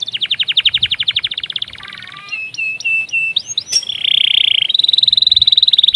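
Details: Canary song used as a tutor recording for other birds, with full rolling and chirping phrases: a fast run of repeated high notes, then a low buzzy trill, looping upslurred whistles, and a steady high trill to finish.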